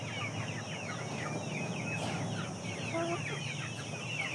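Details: A crowd of chickens, among aseel, shamo and Saigon ganoi fowl, keeps up rapid high descending cheeps in a busy unbroken chorus, one brief steadier tone near the end, over a low droning hum.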